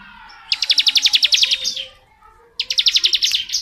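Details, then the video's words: Bar-winged prinia in long 'ngebren' song: two rapid runs of clipped high notes, each ending in a brief drawn-out whistle, with faint lower tones underneath. "BURUNG CIBLEK NGEBREN PANJANG"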